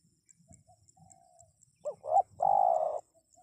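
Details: Spotted dove calling to draw wild birds to reply: faint distant coos, then one loud phrase of two quick arched notes and a drawn-out, even, low hoot lasting over half a second.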